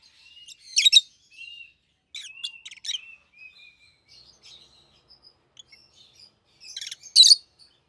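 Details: Pet rosy-faced lovebirds, a red-headed yellow bird and green bird, give grouped shrill chirps with wavering whistled notes, a quieter lull, then a loud double shriek at the end.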